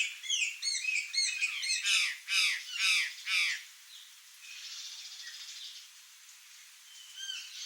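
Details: Wild Curl-crested Jay (gralha-do-campo) in Brazil: a burst of loud, harsh, raspy calls repeated about twice a second for several seconds, then fading to softer scattered notes with faint background chatter.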